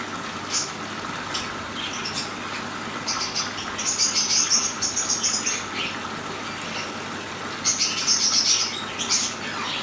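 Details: Pair of black-headed siskins drinking; short high chirps come in quick clustered bursts, with brief wing flutters and a steady low background hum.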